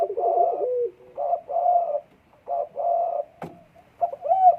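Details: Spotted dove in breeding condition giving soft rolling coos in separate short bursts with quiet gaps between. A sharp knock sounds near the end, then a brief rising coo.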